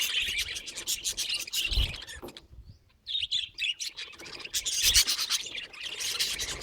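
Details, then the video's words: Budgerigar making strange sounds: dense, scratchy high chatter with clicks and chirps, broken by a second of near silence midway, then resuming. "내 앵무새가 이상한 소리를 내는 이유는 무엇인가요"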